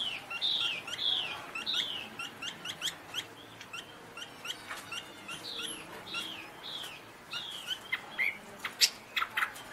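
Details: Chinese hwamei song, fairly quiet and somewhat distant: clear whistled phrases that slide downward, mixed with short sharp chips and scattered pauses.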